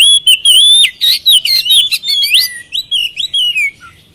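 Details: Oriental magpie-robin song used as a lure for lazy birds, a loud, varied run of whistled phrases swooping between high notes with quick chirps and trills, slightly fading at the end.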